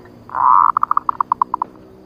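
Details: Female zebra dove used as a trapping lure, in the nutut ngerot style: one long, steady cooing note, then about eleven short, clipped coos in a quick series that slows slightly toward the end. The background is quiet.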